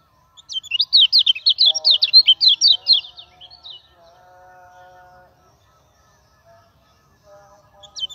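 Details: Common iora singing as a training lure for other birds: a fast, rattling series of sharp, zigzagging high notes for about two and a half seconds, followed by soft lower hums and quiet.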